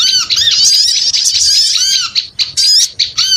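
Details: Noisy small-bird lure, packed high squawks and squeaks with arched lower notes, the chatter breaking into short separate bursts toward the end.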